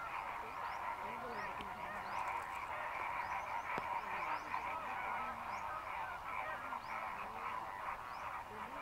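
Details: A large flock of migrant greater flamingos in the lagoons of Mannar Island, Sri Lanka, in the dry season keeps up a steady, overlapping gabble of nasal, goose-like honks and grunts, with no pauses.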